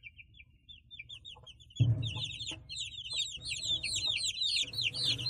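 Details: Small chicks in a village calling: high, sharp, downslurred peeps, sparse at first then dense and overlapping, over low rumbling handling or movement noise.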